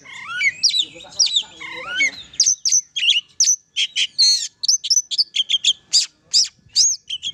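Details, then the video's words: Melodious oriental magpie-robin song, opening with sweeping whistled slurs that dip and rise, then shifting into a rapid series of sharp, clipped high notes and short twittering phrases in steady succession. "Kicau burung kacer"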